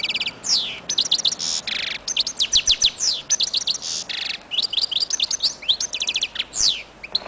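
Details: Royal goldfinch in full song: continuous, rapid twittering of bright liquid notes, with brief harsh buzzy bursts and downward-slurred sweeps woven through a busy, unbroken phrase.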